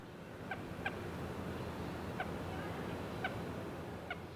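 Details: Common gallinule (Gallinula galeata) in reeds on a resort near Punta Cana, northeast coast of the Dominican Republic, on an early June 2017 morning. It gives five short, nasal, unevenly spaced contact clucks on returning to its nest, calling to its family, over a low background rumble.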